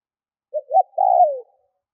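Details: Single phrase from a lure spotted dove cooing to provoke wild doves: two brief soft notes, then a long mellow coo that sinks lower as it fades.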